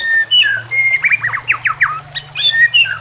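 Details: Brief burst of white-rumped shama song for training caged birds: clear whistled notes followed by a rapid series of slurred downward notes and a final rising whistle, over a steady low hum.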